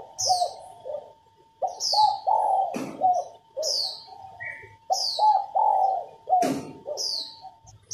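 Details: Spotted dove hen cooing to set males singing: repeated low multi-note coo phrases over a steady hum, joined by another bird's regular high, falling chirps and two sharp clicks.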